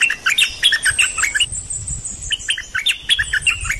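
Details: Song of the dok taeng bird, played to train young birds and stir birds up: dense, quick twittering phrases of high chirps and brief whistles, a thin drawn-out whistle between two bursts.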